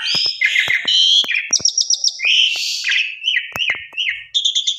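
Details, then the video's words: Asian pied starling lure song, full of fill-in sounds: warbled whistles, a quick string of repeated high notes, then a series of short rising whistles, with sharp clicks in the background. "Coba Putar 1 X Pancing Jalak Suren Dijamin Gacor Full Isian Suara Mewah"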